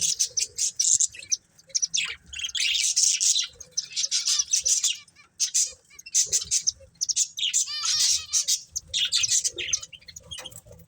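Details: Breeding pair of budgerigars chirping: dense, high scratchy chatter and warbling in bursts of one to two seconds with brief pauses, plus a few softer low notes underneath.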